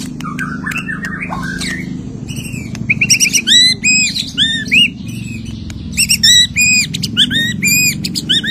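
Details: Post-moult white-rumped shama singing its full repertoire: a tumbling run of whistles, then loud clear upswept notes repeated rapidly in bursts, over a low background hum.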